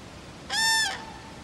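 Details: Crane calling at Friskalanlahti, Finland: one loud, ringing, trumpet-like note about half a second long, steady in pitch and full of overtones, in an otherwise quiet setting.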